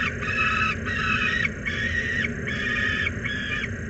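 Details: Young peregrine falcon under pressure on a nest-site platform at Włocławek Anwil, 16 July 2022 at 16:07, giving harsh grating screams in a steady series of about six half-second notes with brief gaps, over constant low background rumble.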